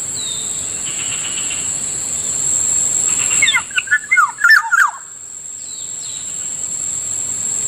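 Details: A black-naped oriole (Kilyawan) calling near a rice field in the morning; a single tumbling run of short, downward-sliding whistled notes, backed by a continuous high insect tone and faint distant chirps.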